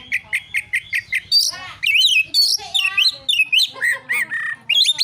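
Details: Oriental magpie-robin giving a narung fighting song meant to provoke rival birds: a run of seven sharp, evenly spaced chip notes, then loud varied whistles, buzzy trills and rising-falling phrases, with a faint low hum beneath.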